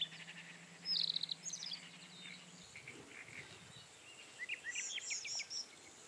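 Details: Rufous-tailed scrub robin singing a bright, fluting phrase of descending notes, followed a few seconds later by a longer twittering, warbled passage, with a low hum that fades partway through.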